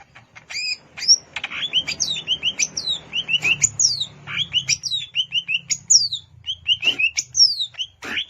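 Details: At Alas Purwo, Banyuwangi, a wild greater green leafbird pours out repeated sweet whistles and sharp downward-slurred notes in rapid, continuous sequence over a faint low hum.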